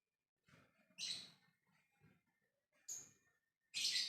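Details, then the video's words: A lovebird calling out in the ngekek style so that others will answer. It gives three sharp, high, piercing shrieks spaced about a second apart, the last the loudest, with faint low scratchy sounds between them. "Love bird ngekek memanggil yg lainnya"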